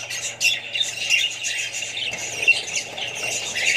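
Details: Australian budgerigars kept with other birds and chicks give a jumble of high chirps and brief squawks, several louder bursts standing out above the continuous twitter and a low hum.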